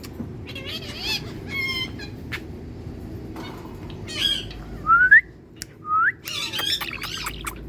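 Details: Tiger Indian parrot enjoying sunlight: scattered harmonic squawks and clicks, then two loud upward-sweeping whistles about a second apart, ending in a raspy chattering burst.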